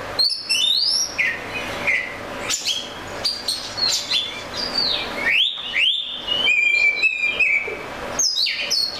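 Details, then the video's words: Oriental magpie-robin in full song: a succession of upward and downward whistled slurs, sharp notes and trills in short varied phrases, separated by brief gaps. "The Melodic Tunes of the Oriental Magpie Robin Bird"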